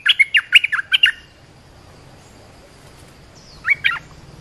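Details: Olive-winged bulbul lure call, used to coach young birds and attract wild bulbuls: a quick string of seven bright, warbling notes opens, then a long hush and two softer notes near the end.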